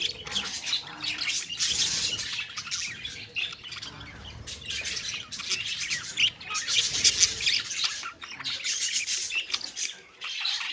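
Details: Many budgerigars in a colony call at once, a loud, dense, scratchy chatter of high chirps and squawks in waves with brief quieter gaps.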